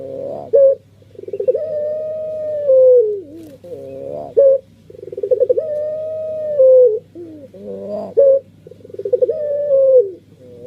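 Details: A puter pelung dove sings repeated phrases, each a short sharp note, a fast pulsed run and a long steady coo that droops at its end, about sixteen a minute, with a low hum in the background.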